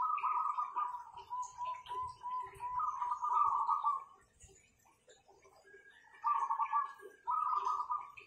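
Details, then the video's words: Zebra doves prized for vocal power: a long rolling coo, rapidly pulsed and slightly dipping, running about four seconds, then a pause and two shorter trilled phrases. "Perkutut-perkutut ini Power suaranya mantapnya bukan main"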